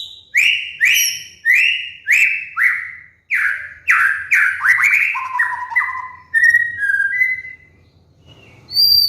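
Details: White-rumped shama song played as a trigger and training master for molting cage birds: a series of loud, clean whistled phrases, each sliding downward, repeated roughly every half second, then softer falling and level notes.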